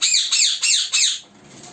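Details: African ringneck parakeet in a colony gives four shrill, screechy calls, each falling in pitch, spaced about a third of a second apart, then quiet.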